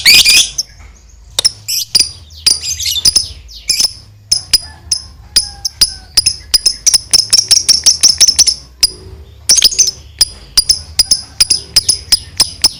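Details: Lovebird giving its long ngekek chatter, meant to provoke silent lovebirds into answering. Shrill, sharp chirps repeat in uneven runs, clustering faster in the middle, with brief pauses between bursts.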